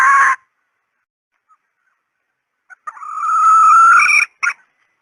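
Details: Red junglefowl hen call used as a decoy: one brief harsh cluck, a long silence, then a drawn, hoarse note rising and strengthening over a second, closing with a short clipped note.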